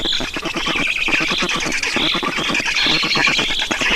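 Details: Black storks in Estonia at a feeding on 5 June 2019: dense, rapid, raspy begging pulses with overlapping squeaky, nasal upper notes, churning on without pause.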